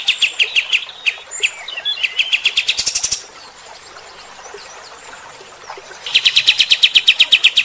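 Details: White-shouldered triller (kapas tembak) in energetic 'gacor' form, giving coarse 'tembakan' shooting bursts meant to rouse fighter-type birds: fast runs of sharp, clipped notes, some with a brighter buzzy upper edge, broken by a three-second pause before another rapid burst.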